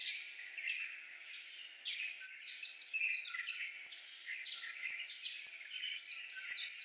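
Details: High-pitched twittering from a white-eye: a softer, blurred start gives way to a clear burst of rapid descending whistles, then quieter warbling and another short run of sharp notes.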